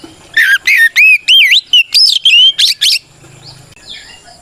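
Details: White-rumped shama singing a rival-provoking song meant to make other shamas respond; a rapid run of rich whistles, looping slurs and chirps for three seconds, then quiet with faint background noise.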